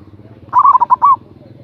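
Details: A local zebra dove with a strong voice calling to stir a rival: one short trilling coo phrase of six notes, over a steady low hum.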